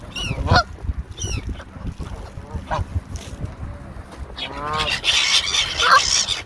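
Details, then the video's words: A hungry Canada Goose screaming while eating gives loud, harsh, rising honks, several a second. Shrill cries from gulls, also eating, mix in toward the end. "Hungry Canada Goose & Seagulls Screaming While Eating"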